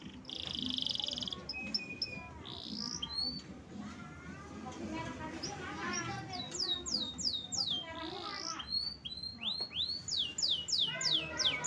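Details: Canary opens with a short, high rattling trill and scattered thin notes, while a person talks over the middle part. It ends with a fast series of loud, high whistles that sweep down and then up.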